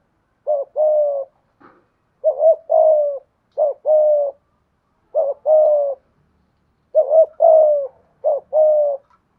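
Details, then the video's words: Spotted dove decoy bird singing 'giọng thổ' style: about seven low cooing phrases in irregular bursts, each a brief wavering note and a longer level coo, with one faint short sound between them. "Chim Cu Mồi/ cu gay giong tho cuc dinh"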